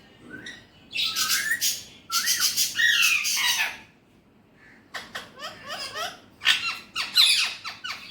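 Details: Alexandrine parakeet, a pet bird said to talk in Urdu/Hindi, giving runs of harsh, raspy, chattering squawks in two long bursts, a short pause, then quicker broken phrases with bent, warbling notes.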